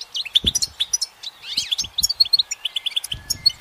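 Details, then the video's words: Goldfinch singing from a sunlit branch: spaced bright chirps, a cluster of sweeping slurred notes, then a run of clear repeated high pips, with soft low taps behind. "The goldfinch's motivational song"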